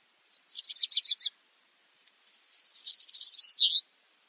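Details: Black redstart song with an opening rattle of rapid high notes, a pause, then a long hissing crackle ending in two louder squeezed notes.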